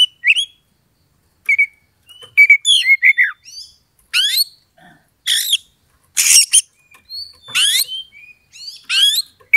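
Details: Oriental magpie-robin singing to provoke a rival into fighting, its temper rising slowly: loud varied phrases of whistled slurs, sharp rising sweeps and harsh buzzy bursts in short bouts separated by brief pauses.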